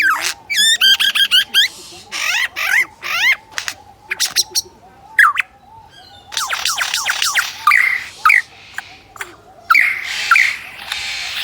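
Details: Superb lyrebird at Adelaide Zoo, Australia, copying the sound of a DSLR camera pointed at it: bursts of rapid clicks and shutter-like noise mixed with loud, swooping whistled phrases and chatter, in a varied sequence of mimicry.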